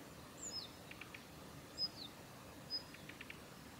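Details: Female Daurian redstart at Kita-Fuji training area, Japan, 7 November 2021, giving high thin whistles and downslurred notes followed by soft short runs of clicking taps, low background hiss.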